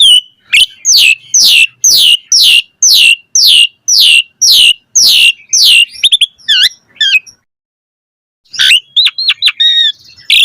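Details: Asian pied starling in mompa style: about a dozen loud harsh downslurred notes repeated roughly every half second, then brief twittering, a pause, and a burst of mixed chattering notes.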